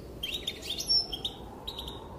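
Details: Female European goldfinch giving brief calls said to make males dance: a few quick tinkling chirps and a short trill, then a pause and another small chirp burst over faint background hiss.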